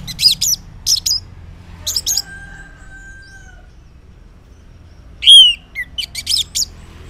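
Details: Orange-headed thrush in the morning, ngeplong song used to prompt silent males to reply: clusters of sharp high chattering notes, then a long faint steady whistle, and a final loud swooping whistled phrase with more chatter.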